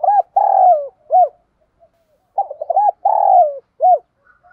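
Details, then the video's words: Spotted dove (cu gáy) kích bổi song, thúc gù style, played to make doves coo at once. Two repeated low phrases about three seconds apart, each with hooked notes, a long sliding coo and an arched final note. "Tiếng chim cu gáy Thúc đấu gáy kích bổi cực nhạy, Chim cu gáy kích bổi mở lên gáy liền"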